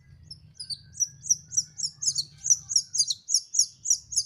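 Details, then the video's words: Young canary learning its song, delivering a steady rapid series of bright high chirps, roughly four per second, evenly spaced and loud, with a quiet low hum in the background. "BELAJAR MELOLOH ANAKAN BURUNG KENARI"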